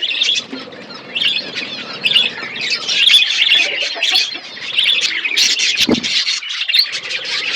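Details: Budgerigars in a flock calling as they eat, a steady mass of high twittering and chirruping notes, with a short low thump near the end.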